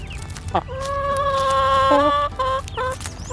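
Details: A backyard hen, described as very whiny, gives a long nasal squawk held level for over a second, then two shorter complaining notes, while being offered food in the morning; faint background rustle.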